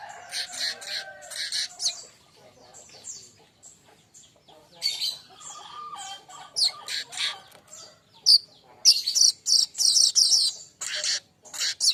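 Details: Young baya weaver, training song for songbirds: scratchy high chatter with a few lower whistled notes, building to loud, rapid, buzzy bursts near the end.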